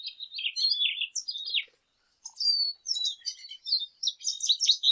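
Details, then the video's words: Lesser goldfinch song: a rambling run of high twittering and slurred notes, with a brief pause midway before the chattering warble resumes, clean and free of other sounds. "Jilguero Aliblanco Canto - Lesser Goldfinch Song - Lesser Goldfinch Call"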